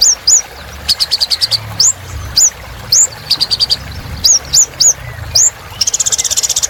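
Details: Olive-backed sunbird in full song, played to coax silent caged birds into singing again: thin rising whistled upslurs high in pitch, alternating with rapid dry trills of evenly spaced notes, ending in a fast buzzy rattle.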